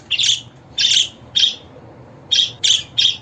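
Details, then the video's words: Scratchy budgerigar chirps come in two clusters of three, with a quiet gap of about a second between them and a soft hum underneath. "Muhabbet Kuşu Sesi, Kuşunuz Kesin Ötecek, Karşılık Verecek, Muhabbet Kuşu Çağırma Sesi!"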